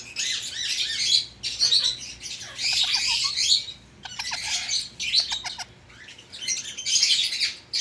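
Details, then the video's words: Pet Indian ringneck parakeet chattering in harsh grating bursts separated by short gaps, with quick clicking notes in between, steady over eight seconds. "INDIAN RING NECKED PARROT - The Intelligent Pet"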